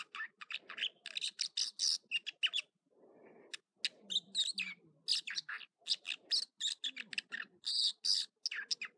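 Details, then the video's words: Morning song of an American dipper at Echo Lake, Trinity Alps, California: rapid, bright, varied phrases of sharp chirps and buzzy trills, repeated in quick clusters, with one short pause and soft low background rumble. "Water Ouzel Song Sequence"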